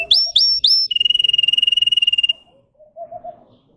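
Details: Song of a Russian singing canary: three sharp upswept notes, then a rapid even trill of about thirty pulses, followed by a few faint low notes.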